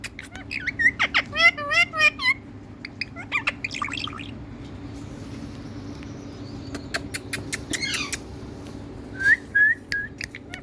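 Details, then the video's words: Pet parrot, tagged as Indian, talking in a sweet voice: bursts of wavering, squeaky harmonic syllables near one to two seconds, again near four and eight seconds, then a pair of rising whistled notes near nine seconds, over steady low hum. "My Cutie Parrot✨️Calling Mithu💕Mithuu In Very Sweet Voice"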